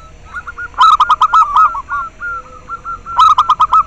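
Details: Local zebra dove giving loud, quickly repeated clipped coos in two bursts, each opening with sharp rhythmic clicks, softer notes between. Intended to rouse breeding drive in caged doves and to attract birds for trapping.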